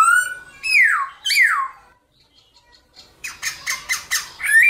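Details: Black-throated laughingthrush in morning fighting-song style ('hót đấu'). A rising whistle leads into two loud slurred whistles that fall steeply in pitch, then a short silence and a rapid series of harsh, buzzy notes ending in a whistle.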